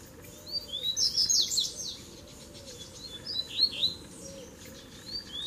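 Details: Double-collared seedeater duel with three birds coming in to fight; sparse, high whistled phrases in short separated bursts, one strong burst early and another in the middle, with quiet stretches of low background noise.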